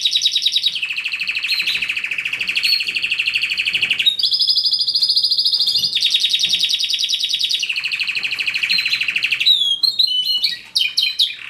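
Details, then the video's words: Singing canary delivers a continuous chain of rolling trills, shifting between lower buzzy tours and higher, faster rattles, ending with a few sharp separate chirps. "Canaries - Canary - Song - Singing"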